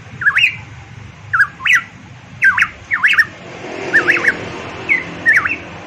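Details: Papuan variable pitohui (cucak emas) in energetic song: looping, slurred whistles that dip and rise, each phrase paired with a sharp click, repeated roughly every second against a quiet low rumble.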